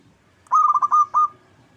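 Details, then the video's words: Local zebra dove song used as a lure to make other birds sing and answer: a quick run of five soft, mid-pitched cooing pulses followed by one longer held coo, over a quiet background. "Pancingan PERKUTUT LOKAL Agar Bunyi"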